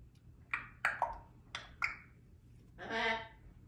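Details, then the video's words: A baby female African grey parrot practising her words in the morning gives four quick clicky, squawky syllables, then a longer word-like sound rising and falling in tone, in a quiet room. "African Grey Parrot practising her words this morning"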